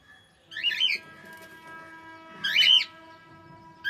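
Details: Cockatiel singing, giving two harsh, arched squawking notes about two seconds apart, each with bright overtones, over a steady low electrical hum indoors.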